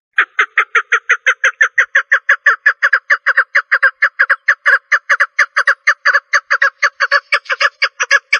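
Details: Rapid, unbroken series of rough clucks from a female partridge, repeated about every fifth of a second for over eight seconds. The notes grow slightly brighter and more ragged toward the end.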